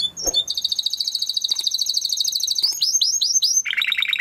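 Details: Timbrado canary singing a training song: a fast buzzy trill held level, then a run of downward-sweeping whistled notes repeated about twice a second, ending in a lower rapid rolling trill.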